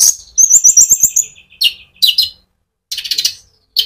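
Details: Konin sunbird singing in rolling ngerol style as a lure for other sunbirds: a rapid run of very high repeated notes, then harsher chattering chips and a final burst of fast buzzy trilling.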